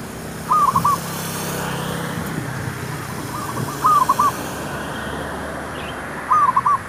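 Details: Zebra dove used to lure wild doves for trapping: three short warbling bursts of cooing notes, spaced about three seconds apart, over a steady low hum of background noise.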